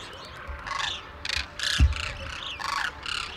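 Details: A wintering flock of Demoiselle cranes at Khichan village, India, where villagers feed them grain each early morning, call with overlapping harsh, croaking trills in quick bursts about every half second, over a low background rumble.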